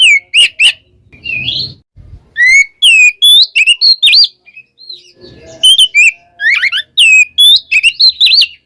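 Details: Oriental magpie-robin in the 'kembar ngeplong' song style, calling a rival: loud, sweet whistled notes around high pitch, sliding and looping, given in quick bursts with short pauses, plus two brief low rustling thumps.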